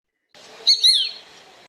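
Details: A shikra, a raptor, gives a sharp, high two-note call, the second note slurring downward, over a steady background hiss.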